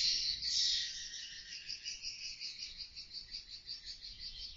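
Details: Indoor CCTV audio from a two-storey, 4 by 12 swiftlet house: swiftlets chatter in a loud opening burst, then settle into a shrill, evenly pulsed twitter of about two beats per second.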